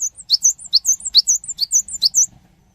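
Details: Gelatik batu, or cinereous tit, in lure song aimed at fast responses from other birds; high upslurred chirps mixed with thin downslurred whistles in a quick, uneven run lasting about two seconds.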